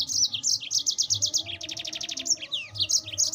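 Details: Yellow-fronted canary in fast, rolling 'ngerol' song meant to stir up rival birds: a dense run of rapid, high, evenly pulsed notes forms trilled strings, ending in twittering, slurred chirps.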